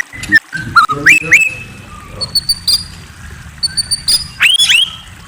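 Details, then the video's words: Varied night song of a white-rumped shama: clear whistled slurs, upward sweeps and short high chirps, with brief pauses between notes. "Murai Bird Serenade: A Night of Enchanting Chirps"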